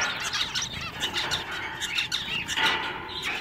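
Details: Several pet-shop zebra finches, males singing a little among repeated nasal "meep" calls; a busy, unbroken tangle of buzzy, harmonic notes from many birds at once, with a louder call near the end.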